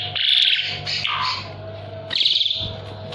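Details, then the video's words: Asian pied starling in lively song, used for tutoring other birds: two short harsh, buzzy chattering phrases separated by a brief lower note, with a steady low hum behind. "JALAK SUREN GACOR"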